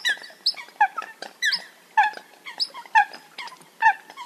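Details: Eurasian coots heard on a hunting-call recording: clear, loud nasal calls repeated roughly every half second, each dropping slightly in pitch, over softer background calling.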